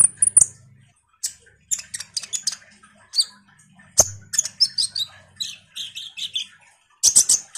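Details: Common iora 'ngobra' chatter, a lure to draw responses from kolibri ninja birds: high squeaky chips and slurred whistles mixed with lower warbled notes, a faint low hum underneath, ending in a dense burst.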